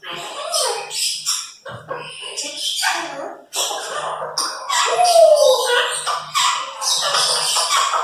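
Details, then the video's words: Several pet Congo African grey parrots chattering indoors, a jumble of speech-like babble, squeaks and a whistled note, with dense overlapping bursts and brief pauses. "Multiple Talking Parrots"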